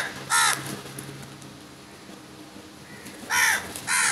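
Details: Crows in a large flock attacking food give harsh, hoarse caws: one near the start, then two close together near the end, with quiet outdoor background between.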